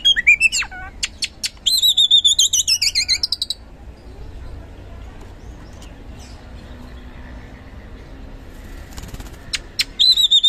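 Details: Oriental magpie-robin singing gacor ngeplong, used to coax reluctant birds: a bright burst of fast looping whistles for about three seconds, a long quiet stretch of low noise, then brief sharp notes returning at the end.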